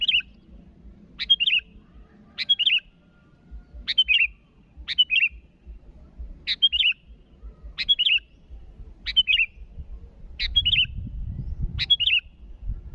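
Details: Sooty-headed bulbul calling rivals: a short chip-and-whistle phrase repeated steadily about every second and a half, nine times, with low rumbling background noise growing near the end.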